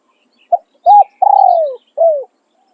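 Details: Decoy spotted dove crowing in the calling-and-tossing style: brief opening note, an arched coo, a drawn-out vibrating coo sliding downward, and a last shorter falling coo, in near silence.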